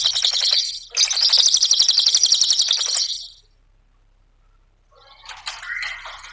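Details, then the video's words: Cililin used as a master lure for songbirds, nembak ngetik song: two bursts of rapid high ticking notes, about four per second, then a pause and a lower, softer jumbled phrase. "Mp3 suara Cililin RAPAT GACORNYA,pancingan cililin"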